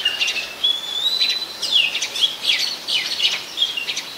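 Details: Oriental magpie-robin in Ubon Ratchathani, Thailand, where it is a very common resident, recorded 24 December 2020: a long thin rising whistle opens, then steep downslurred notes and rapid chirpy flourishes follow in quick succession.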